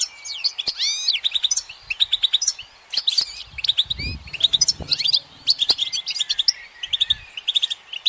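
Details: Goldfinch singing while perched on a branch in sunlight: a fast, continuous twittering of bright, high tinkling notes, short buzzy trills and quick rising and falling slurs, packed into dense bursts with barely any pause, plus a few low thumps.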